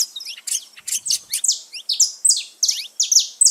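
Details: Free saffron finches in nature: a brief sequence of bright, sliding notes falling in pitch, delivered in quick clusters about every half second, clear and without background noise.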